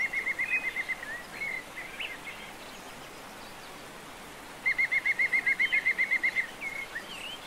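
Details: European green woodpecker (Picus viridis) in the montes of León, Spain, January 2022, repeats quick series of uniform ringing notes: about eight at the start, then a longer run of around thirteen, with occasional chirps and low hiss.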